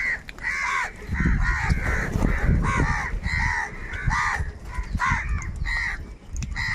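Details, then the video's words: Large flock of crows, described as fighting for food, giving harsh overlapping caws with strong harmonic bands, bursts repeating roughly every half second to second; heavy low rumble of wind or handling noise underneath. "kaka sound and noises of crow birds | Huge numbers of crows crowing and crying sounds"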